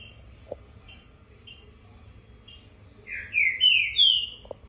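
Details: Male green-winged saltator, a Brazilian COBRAP 2019 champion competition bird, in fighting mood on Tuesday the 16th. After a quiet start of faint chips over low hum, it gives a loud burst of four rich, slurred whistled notes at about three per second.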